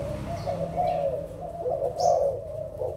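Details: Adult spotted doves, Malaysian and Thai birds, 16 March 2022: a short run of low, rolling coos from several doves at once, with an occasional faint high chirp.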